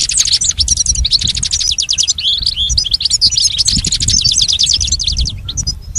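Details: Model song of a goldfinch played for a caged pet to learn from; quick, ringing trills and clipped chirps pour out steadily, with a brief pause near the end.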